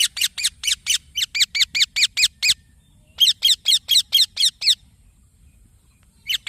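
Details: Green baby parrot giving bursts of harsh, raspy chirps, each note sliding downward, fired about four per second in runs of five to ten separated by short pauses.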